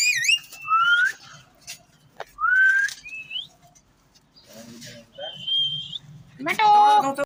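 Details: Ringneck parrot producing clear rising whistles, a pause, then a harsher breathy phrase, a level high whistle and a closing burst of wavering, harmonic-rich squawking.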